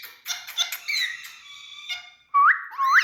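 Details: Adult male Indian talking parrots chatter in a squeaky, buzzy run of notes, ending in two loud, clear upward-sweeping whistles.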